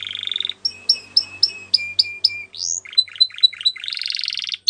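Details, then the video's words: Belgian canary song meant for training young birds: a buzzy opening, then clear two-part notes repeated about four times a second, shifting to quicker chirps and a dense rolling trill. "Belgian Canary Singing"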